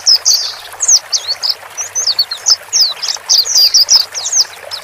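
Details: White-eye pair, male and female, calling to help a just-bought bird get used to a solitary cage; separate sharp, high, downslurred chirps come in quick uneven succession.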